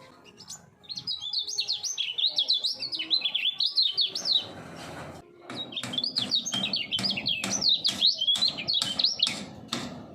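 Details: Caged common iora, three years old, a contest-bird prospect in full-speed double-voice song: long runs of rapid zigzagging whistles, the second run mixed with regular sharp knocking clicks.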